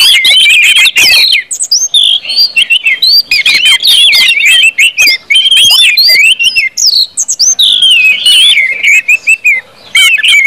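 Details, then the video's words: Nonstop orange-headed thrush 'ngeplong' singing used as a lure to start other birds singing; crowded, loud, varied whistles and trills overlapping with hardly a gap for ten seconds. "KUMPULAN ANIS MERAH NGEPLONG BIKIN CEPAT BUNYI DAN GACOR ANIS MERAH"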